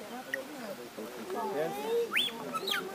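A lyrebird runs through varied mimicked notes: a sharp rising whistle, then a falling sweep, over low murmuring voices.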